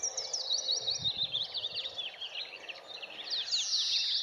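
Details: Willow warbler singing from a treetop by Heronry Lake, Paxton Pits, England, 13 May 2018: quick, sweet, high notes slurring downward in a busy cascade, overlapping other small birds over faint outdoor noise.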